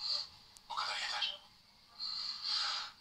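A European greenfinch gives high, hoarse, wheezing phrases: a short note, then two drawn-out buzzy bursts of about a second each with a brief pause between.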